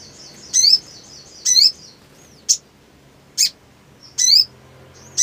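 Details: Black sunbird singing in breeding mood: high, thin twittered phrases with a faint whistled tone between them, then crisp single chips at irregular intervals of about a second.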